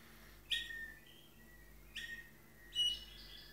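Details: A Malinois Waterslager canary sings three brief phrases of whistled and rolling notes about a second apart, with a thin steady tone running underneath.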